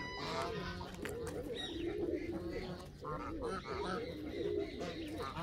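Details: Canada geese giving a busy chorus of nasal honks and lower grunting notes, calls overlapping densely with constant background noise.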